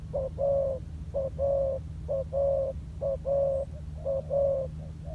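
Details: Decoy spotted dove coming down to the ground and performing its style: a regular run of paired coos, a brief note then a drawn-out warm one, about once a second, with a steady low hum beneath.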